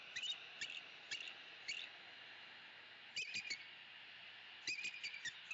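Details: Paired eagles at a Southwest Florida nest tree on an October afternoon, calling loudly in protest at passing crows; short bursts of sharp, chittering chirps in clusters a few seconds apart over constant background hiss.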